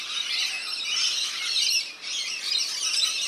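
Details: Rainbow lorikeets bathing in a backyard birdbath in NSW, Australia, giving a steady wash of shrill, rasping squeals and screeches with one brief dip midway.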